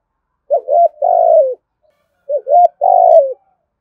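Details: Spotted dove calling in the 'thổ gù thúc' style meant to attract wild doves: a pair of low three-part coo phrases, short upturned notes leading into a long falling hoot, clean background.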